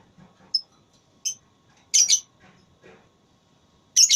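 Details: Lovebird competing in a voice battle, with scattered single high chirps, a short harsh double burst in the middle, and a loud scratchy burst at the close.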